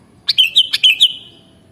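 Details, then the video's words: Sooty-headed bulbul giving a compact, cheerful phrase of six liquid, slurred whistles packed into under a second, with faint background hum and no other sounds. "Mastering Burung Kutilang Original Bikin Burungmu Bisa Langsung Nyaut dan Gacor"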